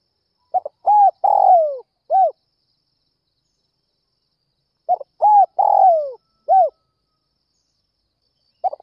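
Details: Early-morning spotted dove call used to lure other doves. Two matching phrases are about four seconds apart, each with a quick short coo, a clear coo, a long descending coo and a closing short coo. A third phrase begins at the end.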